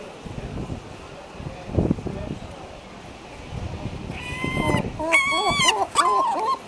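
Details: Herring gulls at a breeding colony, a pair raising chicks on the nest, give harsh, nasal calls, several overlapping with bending pitch in the last three seconds, after a stretch of low wind rumble.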